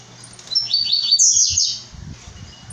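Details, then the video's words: Brown-plumaged blue-black grassquit, called tiziu pardo, giving a single high, thin buzzy phrase of quick sweeping notes lasting about a second, over faint low background hum and scattered knocks. "Tiziu pardo"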